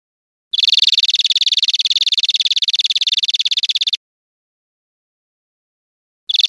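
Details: Rapid high trill of a European greenfinch, from a recording for training caged birds, lasting about three and a half seconds with evenly spaced notes, followed by silence and the start of another trill.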